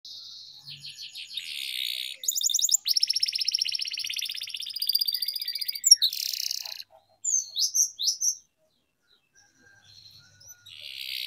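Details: Canary song used for singing training, with long rolling phrases: high buzzy trills, rapid chattering notes and short sweeping whistles, broken by brief pauses and a quiet stretch near the end.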